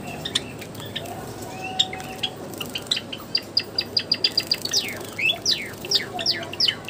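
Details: Captive Java sparrows in an aviary at bathing time, giving a run of short, high, sharp chirps and downward-slurred notes, several birds calling over one another, quickening toward the end above a steady background hiss.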